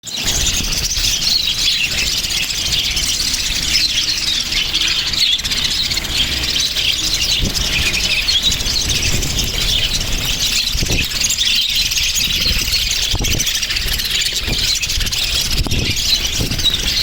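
Budgerigars chatter nonstop in a dense wash of high chirps, squeaks and warbles.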